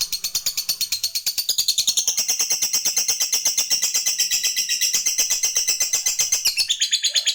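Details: Lovebird giving a long ngekek chatter to call a rival: a sustained, very fast run of sharp, high, buzzy notes repeated steadily for several seconds without a break.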